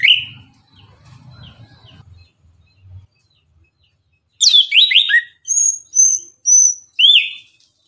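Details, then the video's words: Orange-headed thrush singing vigorously in the morning as a lure to stimulate other birds: a rapid run of downward-sweeping whistles, then evenly spaced short high notes, with a faint low murmur early on. "Anis kembang gacor pagi hari, Pancingan naikan emosi agar Rajin bunyi"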